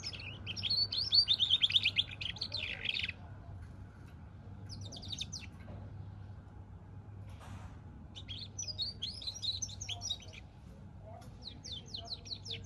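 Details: Goldfinch and canary cross in song, delivering separate bursts of rapid twittering and buzzy chirps broken by pauses of a second or more, over a faint constant low hum.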